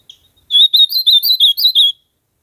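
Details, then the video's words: Ultramarine grosbeak in nature, singing a quick warbled phrase of about eight slurred, bright notes rising and falling, lasting under one and a half seconds against a silent background. "AZULAO CANTANDO MUITO NA NATUREZA"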